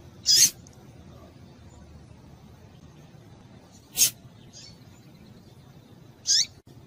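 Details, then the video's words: Female rusty-collared seedeater calling, a call used to make males sing: three short, sharp, high chip notes spaced a few seconds apart over a quiet, low background hiss. "Piado de Fêmea de Papa capim Vai deixar Seu Papa capim Cantando"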